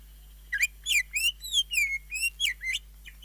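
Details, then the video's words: Greater green leafbird singing a rapid string of looping, slurred whistles, rising and falling notes in quick succession, rich in fill phrases (isian) and jamtrok, over a steady low electrical hum. "kicau cucak ijo yang bagus full isian dan jamtrok trs"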